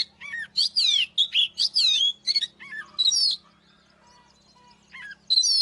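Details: Oriental magpie-robin song used for fighting, made of rich sweeping whistles and slurred notes delivered fast, with a faint low steady hum beneath, a quiet gap, then a fresh whistled phrase.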